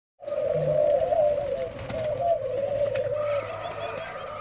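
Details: White-crowned pigeon (Patagioenas leucocephala, bald pate) at a release, giving a low, steady, slightly wavering coo lasting several seconds, with faint higher chirps from other birds behind it.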